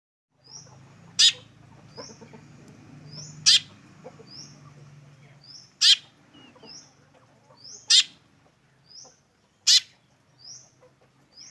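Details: Black drongo giving its unique call: loud, harsh, sharp notes repeated about every two seconds, with soft high chirps in between and a low background rumble.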